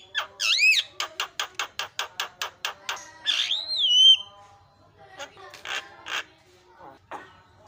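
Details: Lure song of an Asian pied starling, used to rile up other starlings: a rapid series of about a dozen clipped harsh notes, a long rising-falling whistle, then quieter scratchy chatter and rasps.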